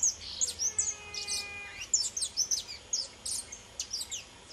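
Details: Saffron finch, pelzelni subspecies called pardinho, singing free: a brisk, uneven run of high chirps and twittering notes, roughly one or two per second, over a faint, lower, sustained whistle.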